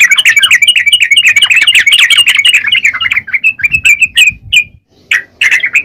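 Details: Yellow-vented bulbul song, a fast, dense chattering of bright notes that thins into scattered single chirps, with a short silence before a final burst.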